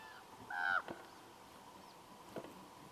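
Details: Common raven gives a single short, hoarse, slightly falling call, then a couple of faint knocks and clicks, at a bear hide near Kuikko, Finland, close to the Russian border, where ravens call while a brown bear eats salmon.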